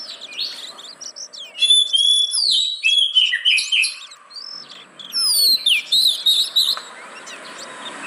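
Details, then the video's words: Oriental magpie-robin song played to coax lazy caged birds into singing: high whistles, sharp rising and falling slurs and rapid chattering bursts, with a quieter gap midway. "Pancingan Burung Kacer Yang Malas Bunyi"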